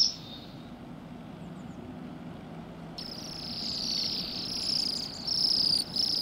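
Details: Bohemian waxwings on rowan in December in a yard by a road, Pushkin, Saint Petersburg, Russia; after three quieter seconds a steady chorus of high, shimmering trills builds, with low traffic-like rumble underneath.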